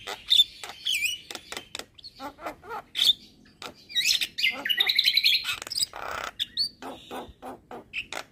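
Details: Asian pied starling singing to provoke neighbouring starlings, delivering sharp clicking and rasping notes mixed with bright whistled phrases and a long squeaky, warbling run midway, continuing in irregular bursts.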